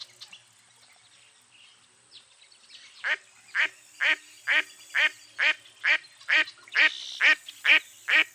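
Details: After three seconds of near quiet, a mottled duck starts a steady run of loud rasping quacks, about two a second, growing slightly stronger.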